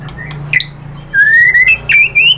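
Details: White-rumped shama song played as a lure for other shamas to answer: after a quiet start with soft chirps, clear whistled phrases rising gradually in pitch, broken by short sharp notes, over a low steady hum.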